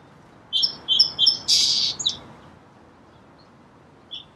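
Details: Song sparrow song opening with three bright, evenly spaced whistled notes, followed by a harsh buzzy section and a quick trilled ending, then near silence with one faint note.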